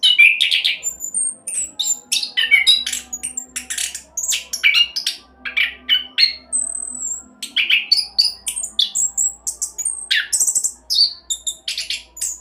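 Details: Caged orange-headed thrush from Salatiga performing a rapid roll song meant to prompt other birds into singing; quick bursts of high chirps, trills and downslurred whistles follow one another almost continuously, with a faint low hum beneath.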